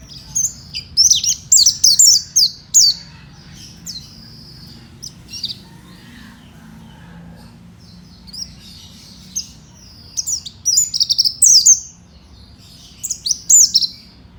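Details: Oriental white-eye, a fighter-style songbird kept for training other white-eyes: high, rapid twittering phrases in bursts around 1–3, 5, 10–12 and 13–14 seconds, separated by quiet gaps with faint low background hum.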